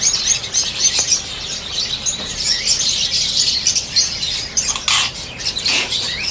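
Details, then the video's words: Peach-faced lovebirds, yellow variety, in a dense chorus of shrill, high chirps and squeaks overlapping without pause, with a few sharper squawks near the end. "PEACH FACED LOVEBIRD+YELLOW"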